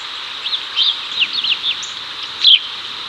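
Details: Male house sparrow in Chicago, 2024, calling the female over as they hunt cicadas; a handful of quick chirps, then one louder bright chirp near the end, over a steady shrill hiss.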